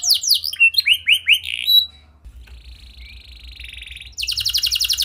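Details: Canary singing a lively, unusual song to encourage other canaries: descending swoops at the start, a quieter buzzy middle section with faint low hum, and a high rapid trill at the end.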